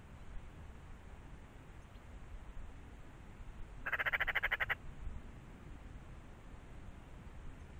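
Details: A single dry, machine-gun-like chatter from a Eurasian magpie, about a second of fast harsh pulses rising clearly above a constant low hiss and rumble.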